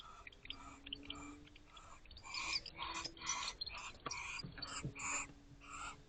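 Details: Wild barn owls in a face-off at an owl box at 1:17 am on 13 December 2023. A run of about a dozen harsh, rasping, noisy bursts, each under half a second, comes in quick succession and grows louder midway.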